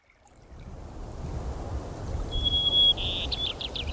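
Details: White-crowned sparrow at a Colorado campsite after rain, visiting each morning and evening and scraping up seed. Steady whistled note, then a buzzy burst and a few quick falling notes near the end, over a constant low rumbling background.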